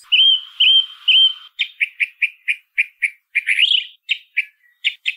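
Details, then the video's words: Song thrush whistles a wavering note three times, then delivers a rapid series of short, clipped notes repeated in quick succession, with a brief squeaky flourish. "1 HORA de SONIDO de ZORZAL COMÚN CANTANDO"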